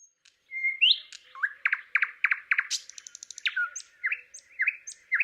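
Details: Thrush nightingale singing in Palupõhja, Estonia: a loud, varied phrase opening with a pure whistle, then rapid repeated clicking notes and a bright run of rising and falling whistles, with no other sounds.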